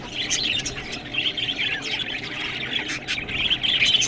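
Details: While pecking at green food, budgerigars keep up a thin, high chirruping warble that rises in strength near the end, mixed with soft scraping sounds.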